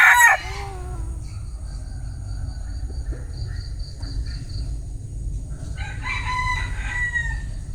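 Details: Bantam rooster crowing: a short loud burst at the start, then a quiet stretch with faint high tones, before a harmonic, wavering crow rises near the end over a steady low background hum.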